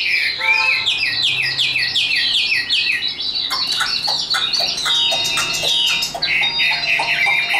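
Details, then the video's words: Caged, tame, hand-carried Chinese hwamei kept as a competition bird, singing high: a loud, fast series of slurred whistled notes, at first repeated rhythmically in descending sweeps, then tumbling into denser warbling phrases with sustained high tones. "Họa mi số 1129 Chim thuần sách tay hót cao cầu đấu tốt"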